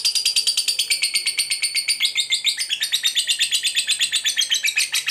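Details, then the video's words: Shrill ngekek trill from a fighter lovebird, used to provoke others: a continuous fast chatter of sharp notes for over five seconds, pitch dipping slightly in the middle. "SUARA BURUNG LOVEBIRD NGEKEK PANJANG, GACOR FIGHTER PANCING EMOSI, LABET LAIN LANGSUNG PANAS"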